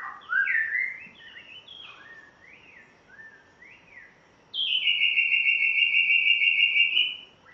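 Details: Spotted morning-thrush from Tanzania on its first day at a new home sings quick rising and falling whistled slurs, followed by a long, steady, high whistled note held for about three seconds.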